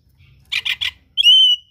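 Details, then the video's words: Oriental magpie-robin in gacor song with rare mimicry: three harsh, rasping notes followed by a long, steady pure whistle. "KACER GACOR SPECIAL FULL ISIAN MATERI LANGKA"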